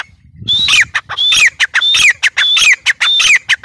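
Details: Grey francolin (Ortygornis pondicerianus), call.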